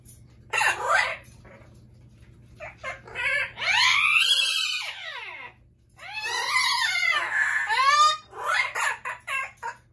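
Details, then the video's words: Loud Amazon parrots scream in long, arching harmonic squawks that swell and fade, broken by scratchy shorter shrieks, with a brief lull midway. "Loud Parrots | Amazon Parrot"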